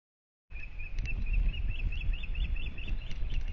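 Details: Osprey (Pandion haliaetus) at a nest in Kurzeme, Latvia, on May 31, with the first chick of the pair just hatched: a run of thin, high whistled chirps, about four a second, over heavy low wind rumble.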